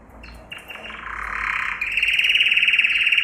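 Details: Yellow canary (Serinus canaria) singing a training song meant for teaching other canaries: soft warbled notes at first, then a loud, fast rapid trill of high, rolling pulses in the second half, steady and unbroken, with no other sounds.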